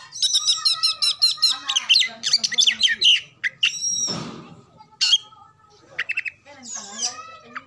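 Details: Oriental magpie-robin lure song for prompting other birds to sing; a fast buzzy trill opens, followed by sharp whistles, a short harsh noise burst and scattered chattering phrases.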